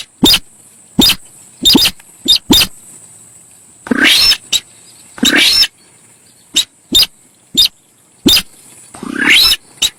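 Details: Javan pied starling singing, in a recording offered as a lure and described as very noisy chatter: loud harsh rasping bursts with bright whistled notes, short clicks repeated irregularly between longer screechy phrases, over a steady high hiss.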